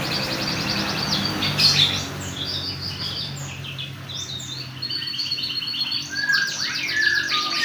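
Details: Young canary practising its song: rapid trills and buzzy high phrases broken by short whistled slurs and pauses, uneven in structure, with low hum beneath.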